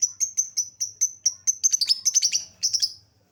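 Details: Lovebird lure sound to make birds respond: steady series of high, thin peeps about five per second, turning into louder, busier twittering notes before stopping.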